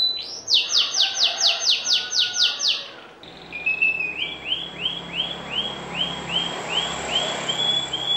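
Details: Canary singing nonstop: a fast buzzy rolling trill of about ten pulses, a short pause, then a lower run of evenly spaced arched whistles, roughly two per second.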